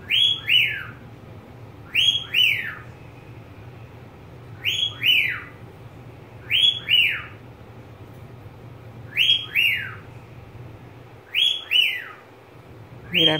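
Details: Pet budgerigar sounding a steady series of paired, falling whistles about every two seconds, seven pairs, a brief harsher sound at the very end, over low room hum.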